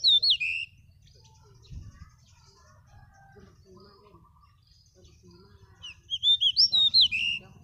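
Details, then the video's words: Pied bush chat from Pakistan singing: a loud burst of short, sweet, warbling whistled notes, a pause with faint background chatter, then a second similar phrase of about six quick notes. "Sweet singing pied Bush chat bird"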